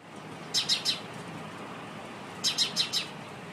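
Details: Sparrow calling: two bursts of three or four short, sharp chirps, high and slightly buzzy, about two seconds apart, over a faint steady low hum.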